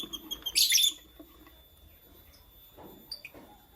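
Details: Morning chirping from lutino and blue opaline lovebirds: one loud, piercing shrill burst near the start, followed by quieter scattered short high notes.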